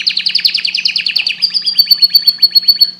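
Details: Canary pouring out a quick chattering trill of tight, bouncing notes that settles into a run of evenly spaced, downward-slurred whistles near the end.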